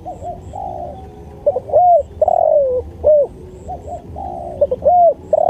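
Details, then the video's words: Spotted dove cooing in a training recording: hollow, mellow coos in low rising-and-falling phrases, a long drawn note followed by short bouncing notes, repeated several times, with faint high chirps and a low background hum. "MASTERAN SUARA TEKUKUR"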